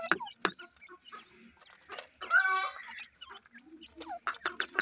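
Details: Deccan francolin with chicks, captive. A single loud, rasping, harmonic call comes midway, set among scattered sharp chirps and soft low clucks.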